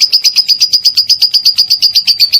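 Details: Lovebird konslet ngekek, a long chatter meant as a master for songbirds: a brisk, even string of bright high chirps, roughly eight per second, with no pause.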